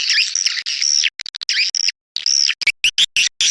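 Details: Edible-nest swiftlet call played to lure swiftlets: long harsh buzzy twittering bursts, high-pitched, then a run of short clipped chirps separated by brief silences.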